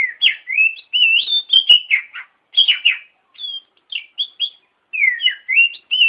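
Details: Kacer, or oriental magpie-robin, singing a tutor song meant to teach other birds: bursts of rich whistles and quick slurred phrases, separated by brief gaps, with a few sharp clicks.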